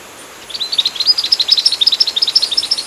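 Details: Scarlet minivet singing vigorously on a bird-training recording: a quick, even series of short, clear, high notes, roughly ten per second, after a brief quiet start.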